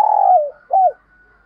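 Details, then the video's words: Brief burst from a decoy spotted dove cooing hard: a long, low, slightly falling coo, then one short arched note, with a faint steady tone behind. "Tiếng Chim Cu Mồi Thúc Gù Căng Lửa"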